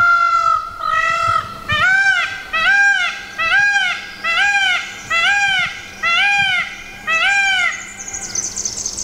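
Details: Wild Indian peafowl from a non-native group in Tasmania: a long series of about ten loud, arched, nasal wails, each near half a second, repeated steadily every three-quarters of a second. A faint steady low hum sits underneath.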